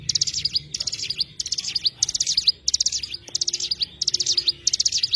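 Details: An Oriental white-eye repeats brisk, shrill twittering phrases roughly once every two-thirds of a second, each packed with fast chirps and finished by a sharp slurred note; a faint tick is heard midway.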